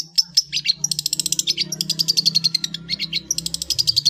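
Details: Long-tailed shrike delivering ngeplong full isian song, used as a master recording for cage-bird training: loud, dense, continuous chatter of rapid buzzy notes and quick high whistles, with a low hum underneath.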